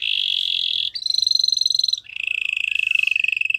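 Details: Belgian canary producing continuous rapid rolling trills for training, a dense rattling tour that shifts pitch twice, moving from a mid trill to a higher clearer one and then a lower one.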